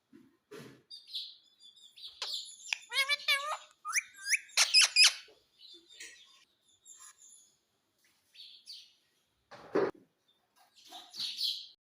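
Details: Indian ringneck parakeet at home mixing speech-like wavering harmonic phrases with loud, sharp, high chirps in quick bursts, then softer scattered twitters and a low thump.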